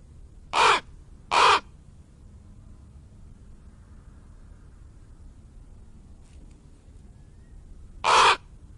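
A raven gives two harsh, rasping calls less than a second apart, then a single matching call after a long pause. The background is otherwise quiet.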